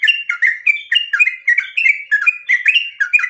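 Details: Sooty-headed bulbul (trucuk) gacor in ropel style to spur birds to sing: close, loud run of rich whistled slurs and chirps, several per second, tightly packed and continuous.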